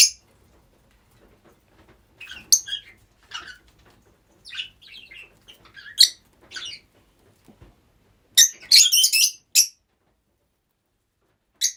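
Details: A group of pet rosy-faced lovebirds gives scattered sharp chirps with long quiet gaps, then a loud burst of harsh, rapid screeches about two-thirds through, and one last chirp at the end.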